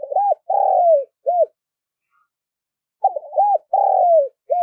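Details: Two matching coo phrases from a spotted dove calling to lure, each made of arched coos around one long, sliding-down coo, repeated about three seconds apart in quiet surroundings.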